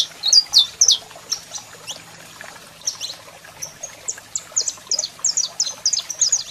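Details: Saffron finch male singing as a female calls: a loud opening burst of piercing high notes, a short lull, then a quickening run of crisp descending chirps.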